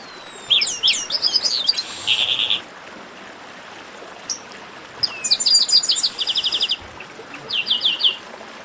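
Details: Chestnut-capped blackbird singing a 'baderna' for warming up other birds. Descending chirp runs lead into a buzzy trill, then a quiet stretch, then a dense burst of rapid sharp notes and a closing cluster of chirps.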